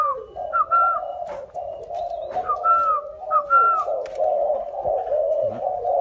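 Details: Spotted dove of the local 'cu ta' type from Nam Định, Vietnam, handed over to a new owner, giving low hollow coos in short phrases about once a second over a steady humming background, with faint voices.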